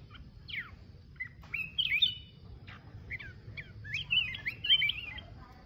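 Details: Solo song of a mountain red-whiskered bulbul: separate bright whistled notes and quick looping warbles, the phrases growing busier toward the end, low steady hum beneath.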